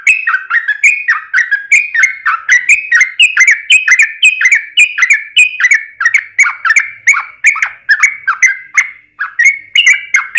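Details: Sooty-headed bulbul singing its long rolling song, used to make other bulbuls sing. About ten seconds of continuous bubbly notes that swing up and down, steady in pace, with only a brief dip near the end.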